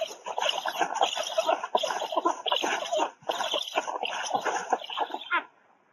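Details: At a black stork nest in Łódź forest district, Poland, on a July 2020 afternoon, an adult female brings a mixed food delivery; continuous rasping, clucking chatter pours out in dense bursts, broken by short gaps, then stops near the end.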